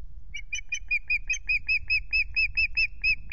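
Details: 17 April evening at Loch Garten: a new male osprey gives an accelerating then steady series of sharp, high whistled notes, about sixteen in all, with low wind noise throughout.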